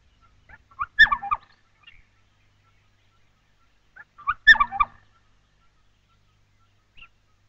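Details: Black-headed Oriole, a brilliant yellow woodland and forest bird, greeting the day at dawn from atop a white-thorn acacia in the bushveld: two rich, liquid whistled phrases about three and a half seconds apart, each a quick tumble of mellow notes, then a faint single note.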